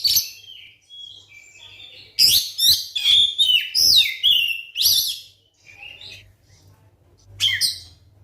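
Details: White-rumped shama song intended to provoke other shamas into singing: loud clear whistled phrases and sweeping notes in quick sequence, a quieter stretch, then a final sharp burst, with a steady low hum beneath.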